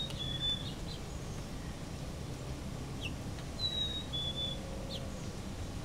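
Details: A chickadee whistles one brief high note, then after a pause a clean two-part whistle, high then a touch lower. Constant low rumbling noise fills the background.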